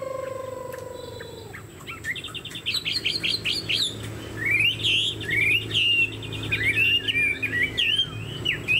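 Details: Chinese hwamei with a fanned tail and tall build, kept as a songbird. A steady low tone opens the recording, then comes rapid song: repeated bright notes followed by rich, swooping whistled phrases.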